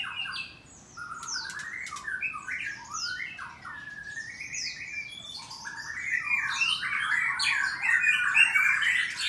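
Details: Captive white-rumped shama at a breeding farm in Bogor, Indonesia, morning song in its aviary: varied whistled notes and sharp upswept chips, building into a dense, loud stretch of warbling in the second half.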